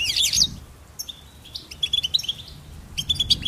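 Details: Goldfinch song for bird stimulation: a loud twittering burst opens, followed by scattered high chirps and a rapid run of clipped tweets at the end.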